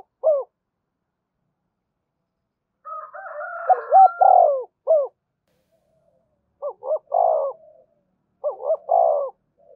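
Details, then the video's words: Spotted dove giving 'thúc gù' cooing, used to stimulate other birds and train them to call: low mellow phrases, two short notes then a longer drawn croo, repeated several times with gaps, one stretch overlaid by a steadier higher tone. "Tiếng cu gáy thúc gù"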